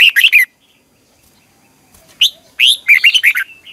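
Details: Red-whiskered bulbul singing a long, twisting double-voiced morning song in competitive style, used to stimulate other birds to sing. A fast run of bright warbled notes, a pause, then a longer string of tumbling, chirpy whistles.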